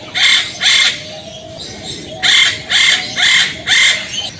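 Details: A male eclectus parrot calling to a female gives six harsh, grating screeches: a pair, a pause, then four more about half a second apart. Only faint background hiss otherwise.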